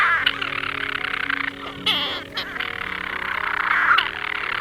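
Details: European storm petrels calling from nest crevices in an ancient broch at the UK's largest colony on uninhabited Mousa, Shetland, in summer: a continuous, rapid churring purr with a brief hiccuping break, over soft background music.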